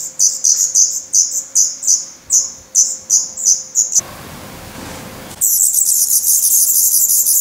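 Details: Black Redstart nestlings beg hungrily in Portugal on 17 May 2020. Distinct high chirps repeat about three per second, a brief burst of broad rustling noise follows, then the brood bursts into a dense, continuous hissing chorus.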